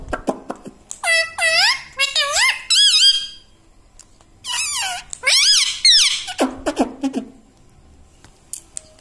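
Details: Talking pet parrot gives repeated phrases of nasal, rising-and-falling syllables, separated by pauses and clicks, in an indoor room; it is said to say "mitthu", "mummy" and "papa".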